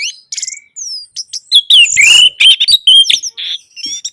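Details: Orange-headed thrush song played to make silent captive birds sing: a fast, continuous stream of loud whistled, sliding and scratchy notes, densely packed with only short gaps.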